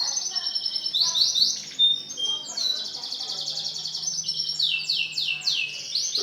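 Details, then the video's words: White male canary singing a continuous, varied song of rapid high rolling trills and buzzy runs, with tour changes every second or so and sharp sweeping notes between them. "CANARY JANTAN PUTIH"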